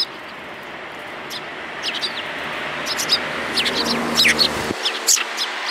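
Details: Sparrows chirping over steady background rumble, scattered thin notes at first, then a denser run of quick, sharp chirps toward the end after the noise drops away.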